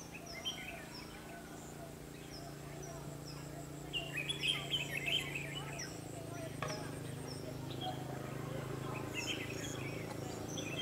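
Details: At a trap with a decoy bird, 21/12/2015, a red-whiskered bulbul gives fighting song. A run of quick, warbling whistled notes comes midway, with fainter phrases around it, over insect whine and some low murmuring voices.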